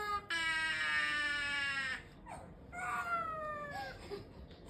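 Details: A talking common myna (Acridotheres tristis, shalik) mimics speech: a drawn-out, nasal, voice-like wail, then a shorter phrase that sounds like talking, over a faint room hum.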